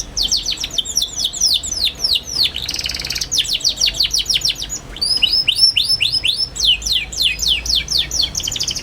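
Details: Young canary twittering continuously, intended to teach young canaries to sing: near-unbroken rapid high downslurred chirps with a short buzzy trill and a few clear whistled notes.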